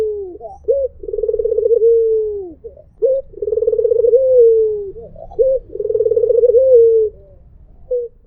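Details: Melodious coo of a white Barbary dove, heard as mpuk jeruuu: a brief sharp opening note leads into a drawn-out rolling, vibrating coo that falls away at the end. About three phrases, evenly repeated.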